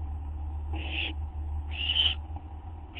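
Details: Owl about to get a gopher or vole treat, past midnight on 8 September 2011, nest camera: two raspy hissed screeches and the start of a third, over a loud steady low hum.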